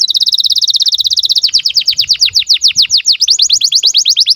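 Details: Canary in breeding condition, used to train young birds: a fast even rattle of high notes, then slower, deeper downward-swooping whistles repeated several times a second.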